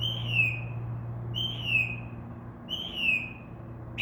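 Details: Mockingbird in a tree outside a window at night, imitating other sounds: three loud whistled phrases that slide downward, spaced about every 1.4 seconds, with a constant low hum behind.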